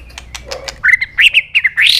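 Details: Fired-up White-rumped shama in a singing contest: a few faint clicks, then loud rich warbled notes in quick pairs, closing with a strong harsh rising buzz.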